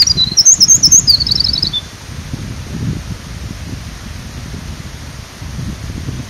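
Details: Eurasian wren singing loudly and energetically beside a forest road along a stream, its tiny body arched back as it sings. A very high, fast, tinkling run of notes is followed by a rapid trill that stops after under two seconds. Steady rushing stream noise follows.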